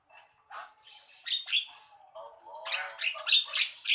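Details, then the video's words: Javan myna song building from soft scratchy notes to a loud series of harsh, grating squawks repeated rapidly in the final second and a half. "Jalak kebo kicau"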